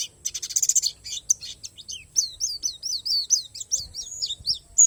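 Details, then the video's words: Borneo palas Oriental white-eye in isian alam song: an opening of fast buzzy trilled notes, then a neat series of clear, high, downslurred chirps about four per second, with a faint steady whine. "SUARA PLECI PALAS BORNEO"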